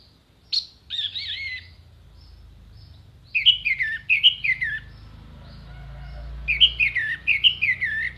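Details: Song of an orange-headed thrush as a master recording for contest birds: varied whistled phrases, then repeated zigzag notes sliding downward in pairs, given in two bursts with a faint low rumble beneath.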